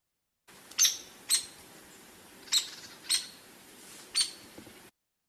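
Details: Hairy Woodpecker in Kentucky forest giving its pick call: five sharp, harsh peek notes at irregular intervals, each high and explosive, as if punched out; a faint low hum underneath.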